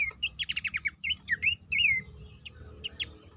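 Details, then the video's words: Horsfield's babbler singing, played to encourage caged birds to be active and sing: a fast series of sharp whistled notes, then several looping down-slurred whistles and a few short chips, with a low rumbling hum beneath. "terapi pancingan dan masteran burung pelanduk semak bikin aktif rajin bunyi"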